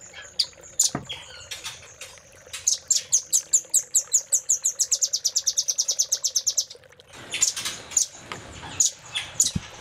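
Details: Master song of a velvet-fronted nuthatch, played to train caged songbirds in the 'isian cililin' style: scattered high ticks that speed into a long, dense rattle of piercing notes, then softer loose chips.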